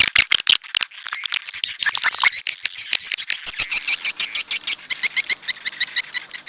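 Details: Swiftlet chirps: quick, high notes in a fast, fairly even series of about three per second, bright and clicky, with no other sounds.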